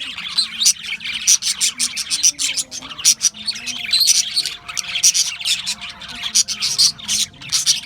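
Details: Chattering group of Australian budgies, loud rapid chirps and warbled twitters in pulsing bursts, nearly unbroken across the whole stretch.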